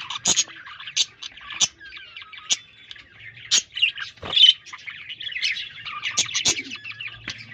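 Budgerigars chatter in bright, scratchy warbles broken by sharp clicks, typical of courting birds.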